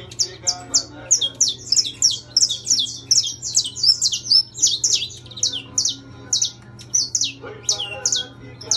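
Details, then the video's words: Intense yellow saffron finch in captivity delivering a long run of rapid, high downslurred chirps, about two per second and accelerating mid-phrase, then slowing; steady low hum in the background. "Canário da terra Amarelo Intenso cantando!"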